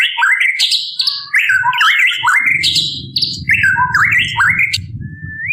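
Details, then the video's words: Female white-rumped shama calling to males, giving a run of short looping whistled phrases that rise and fall, repeated steadily, over a low rumbling background noise. "Burung Murai Batu Betina Memanggil Jantan"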